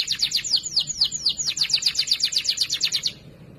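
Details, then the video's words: A canary delivers a loud, clear training song for other canaries, a fast continuous run of high descending sweeps that stops abruptly after three seconds. "Masteran Burung Kenari Suara Lantang Dan Jernih"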